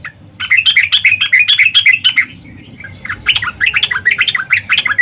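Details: Morning calls of a female sooty-headed bulbul summoning a male, played as a lure: fast strings of gurgling, chirpy notes in two bursts, with a brief quieter gap between.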